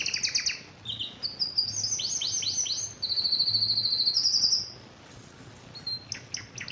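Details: Excited canary singing while wanting to mate: fast high trills of down-swept notes, then a long buzzy rolling tour and steady high trill. A short quiet gap comes before brief sharp chips.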